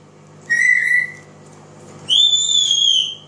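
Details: African grey parrot, a pet, singing and imitating voices, gives two clear whistled notes: a level one, then a longer, higher, slightly falling whistle, against a low electrical hum.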